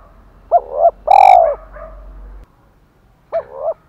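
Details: Decoy spotted dove with a 'thổ pha' voice style: a full phrase of a quick double note and a long deep coo, softer trailing notes, then another double note after a pause.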